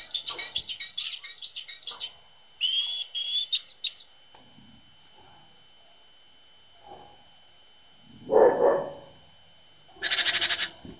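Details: Tits visiting a feeder on a winter morning after a cold night; quick run of high twittering notes, then a thin drawn-out whistle with rising chirps, a quiet gap, a low thump and a final burst of harsh chatter.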